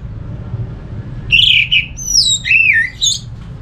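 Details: Orange-headed thrush singing, a sound meant to set other thrushes singing: after a quiet second, loud fluty whistles slide downward, then high, thin, twisting notes and a falling whistle, with a faint low hum throughout.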